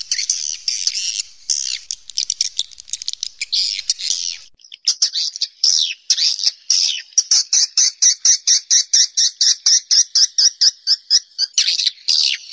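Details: Swiftlets calling naturally inside a cave: shrill buzzy chatter at first, then a rapid train of regular clicking pulses over a drawn-out high trill, about two per second.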